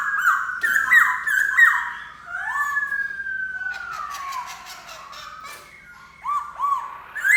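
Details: Song of a black-throated laughingthrush: bold whistled notes, a long drawn-out slurred whistle sliding downward, then quieter clicks and two short upslurred whistles near the end.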